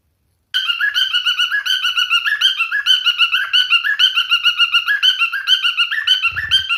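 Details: A singing male cockatiel pours out a continuous fast warble of whistled notes, several per second, wavering up and down, with a brief low thump near the end.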